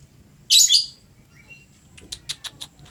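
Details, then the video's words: Lovebird singing very actively: a loud, harsh, shrill burst followed a second later by a quick run of five short, sharp chirps, with little background noise. "Burung Lovebird gacor bangat"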